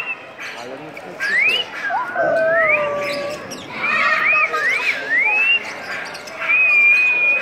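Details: African grey parrot that children are trying to get to talk: clear, pure whistles that sweep up and slide down, several in quick succession, with the children's voices murmuring in the background.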